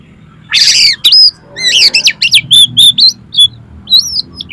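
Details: Oriental magpie-robin song used to make a kacer sing and spread its tail: a harsh scratchy opening, then quick repeated rising-falling whistled notes and high chips in a lively, steady sequence.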